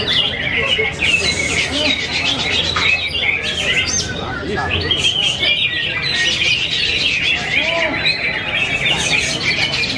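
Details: Greater green leafbird competing in a singing contest in Yogyakarta, Indonesia, where it took a third consecutive win: ten seconds of unbroken, rich warbled song with sharp whistles and trills, people murmuring behind.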